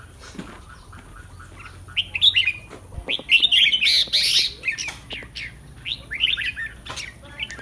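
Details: Red-whiskered bulbul kept in a cage for Thai song competitions, recorded the day before a contest: dense, lively warbling of rapid slurred whistles and chirps, with a loud rich burst in the middle and faint clicks.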